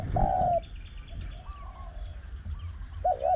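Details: Spotted Dove at a luring site with a caged decoy bird, a wild dove with a small voice present. One drawn-out, low coo, a pause with faint background chirping, then a short, wavering coo.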